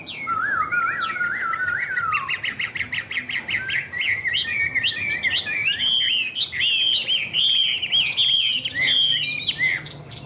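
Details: Chinese hwamei kept in a cage singing a long, loud phrase: low wavering whistles at first, then a sustained torrent of rapid, twisting higher whistles and trills, with crackling ticks throughout.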